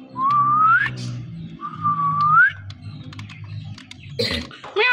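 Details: A talking parrot, with a male and a female conversing, gives two long rising whistles, each about a second, then a short burst of squawky, voice-like sounds, with low human speech in the background.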